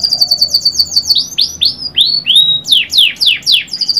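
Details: Canary song phrase opening on a high rapid trill, then dropping into slow, loud slurred whistles, each sweeping down, repeated about every quarter second.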